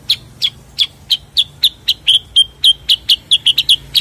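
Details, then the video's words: Steady, rhythmic series of sharp, high chirps from a cucak kurincang, a bulbul also known as kutilingang sutra, repeated about four times a second. "kicau cucak kurincang"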